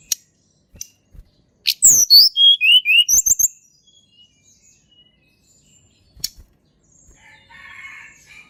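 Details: Wild Sunda Robin song, used as a lure so silent tledekan start singing: a sharp click, then a cascade of clear whistles dropping in pitch with rapid high trills, followed by quieter buzzy notes and a soft warble.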